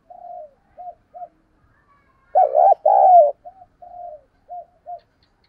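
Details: Lure spotted dove producing soft short coos, a loud rough double phrase ending in a long steady coo, then more gentle evenly spaced coos.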